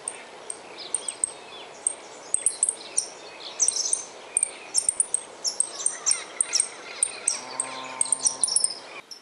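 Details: A saffron finch in the wild. Rapid, high, sharp chirps and short twittered notes tumble out in an irregular stream, with a low steady hum joining near the end.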